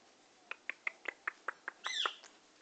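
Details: Happy Indian ringneck parakeet, said to be in love, uttering a run of clipped chattering notes that ends in a louder, drawn-out squawking screech.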